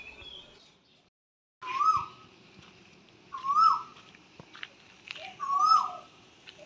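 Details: Asian koel calling in early April near a Shiva-Kali temple, where it perches in peepal and banyan trees in a village neighbourhood; three loud rising-then-falling whistled notes a couple of seconds apart, with faint background murmur.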